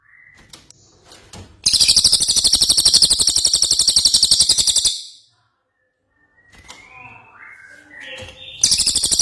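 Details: Cililin, the ashy tailorbird, singing hard as a tutor for songbirds; a long fast chatter of sharp high notes for about three seconds, then faint whistled notes from other birds before the chatter resumes.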